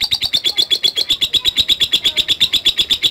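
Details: Lovebird ngetik call in response to a lure recording, rapid and steady high chirps, about seven per second.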